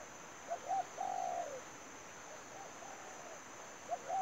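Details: Lure spotted dove at a trapping site: two short coos then a long wavering coo that slides down, a faint answering phrase, then the pattern starting again; constant high-pitched insect drone behind.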